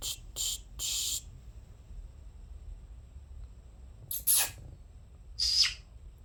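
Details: Pet conures chirping indoors: three quick harsh chirps in the first second, then two more bright, scratchy chirps near four and five and a half seconds, with quiet room hum between.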